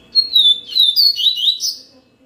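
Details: Yellow-bellied seedeater song: a loud phrase of clear whistled notes sliding down, then a rapid run of sweet warbled and slurred notes, all high-pitched, fading out after about two seconds against a quiet background.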